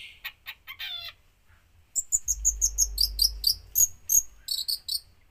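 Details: Long-tailed shrike in strong, full song packed with imitated notes: a few high chirps, then a run of sharp, bright, repeated two-note phrases, over a low steady hum.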